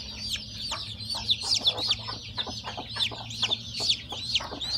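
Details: Chicks just hatched under their hen, giving clear, piercing downward-slurred peeps about two or three per second, several chicks overlapping, over a quiet low hum.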